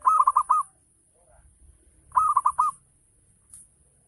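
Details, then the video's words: Zebra dove, local type, singing a 'ngayer' lure song: two crisp phrases of four fast, warbling coos about two seconds apart, near silence between them and a short faint sound near the end. "Gacor Perkutut Lokal || Pancingan Full Ngayer Perangsang Nyaut Bunyi"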